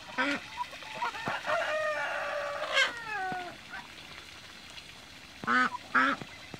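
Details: Mature and young Toulouse geese swimming in a backyard; a long, level nasal honk slides down at its end, then quiet, then two loud harsh honks close together.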